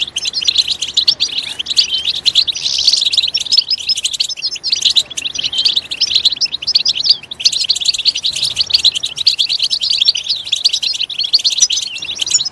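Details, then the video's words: Goldfinch song for stimulating a goldfinch to sing: a long, continuous high twitter of tumbling chirps and trills, with a short softer dip near the middle before resuming. "Stimulating a goldfinch clip to make it chirp in a loud and wonderful voice"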